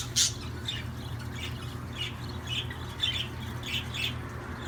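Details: Budgerigar chirping: short, bright squeaky notes repeated about twice a second, with one sharp high squeak at the start, above a constant low electrical hum.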